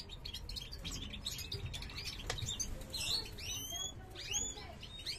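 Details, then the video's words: Breeding-season goldfinch of the parva race, a male kept with his mate, 2023, sings as she explores a new nest; scratchy twittering gives way to clear, bending whistled notes that sweep up and down near the end. "jilguero parva macho cantando"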